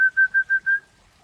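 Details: White-rumped shama of the Aceh type, heard in a relaxed afternoon session: five pure, steady whistled notes at one pitch, evenly spaced about every 0.17 seconds, then silence.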